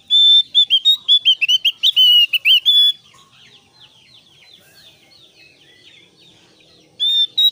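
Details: Caged Javan grey-throated white-eye song used to lure other white-eyes into singing; rapid high whistled notes in a dense burst for three seconds, faint twittering after, another burst at the end.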